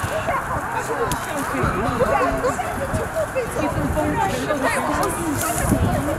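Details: Snow geese by the tens of thousands take flight from a field at Middle Creek Wildlife Management Area, Pennsylvania, on February 22, 2020. Many short, bent, nasal honks pile over one another in a busy chorus, with a low rumble underneath.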